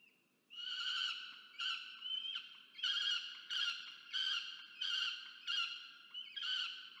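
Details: Peregrine falcon chick on a nest camera in Orange, Australia, 13 November 2022, pleading for food from its parent; a string of about eight separate harsh, nasal screeches, each rising sharply then trailing off, with brief pauses.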